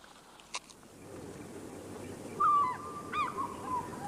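An African fish eagle gives a ringing, yelping call: a drawn-out clear note, then a few quick falling yelps, over a steady outdoor rumble with a faint click before it.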